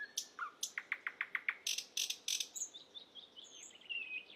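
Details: Singing Asian brown flycatcher on a songbird training recording: a run of about eight quick chirps, then three loud harsh bursts, followed by thin high whistled trills fading out.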